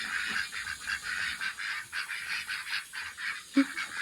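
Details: Excited pet ducks call while their pond fills, giving a fast series of buzzy quacks, about four a second, with a louder single note near the end and water hissing steadily behind.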